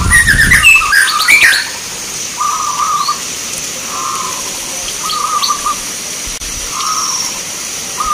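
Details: Local zebra dove at a song contest in Grabag, Magelang, Indonesia: short rolling cooing phrases repeated roughly every one and a half seconds, preceded by a burst of higher chirping from other birds, with faint background noise.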